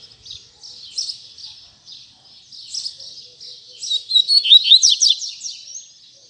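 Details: High, thin double-collared seedeater phrases in the tui tui zel zel style build into a loud, rapid series of sharply swept whistles and chattering trills, over a quiet background.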